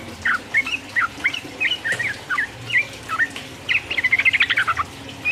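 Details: Yellow-vented bulbul singing energetically in the ropel uplik uplik style, used to provoke rival birds: bubbly slurred notes repeated about twice a second, ending in a rapid chattering run.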